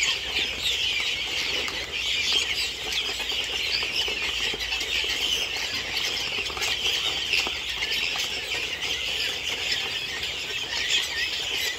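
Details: Helmeted guinea fowl kept on a farm raising chicks and one- to two-month-old birds, a crowded flock giving a dense, unbroken chorus of harsh, scratchy chattering calls that overlap constantly, with no pauses.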